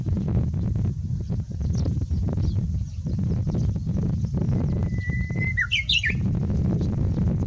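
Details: Japanese bush warbler, perhaps practising, sings one phrase: a long level whistle that breaks into quick tumbling high notes, half-buried under loud, steady low-pitched rumbling noise.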